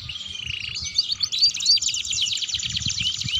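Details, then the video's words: Canary singing as a master song for teaching young birds: a continuous rapid warble of trills, chatters and short whistled slurs, densely packed and high pitched, with a faint low hum underneath. "Masteran Kenari Gacor & Kenari Ngeriwik"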